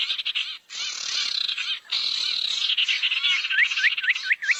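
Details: Barn owl, played as a lure sound to draw owls together: harsh, hissing screeches spread across a broad band, each lasting about a second, followed by a rapid series of short hooked, rising chirps.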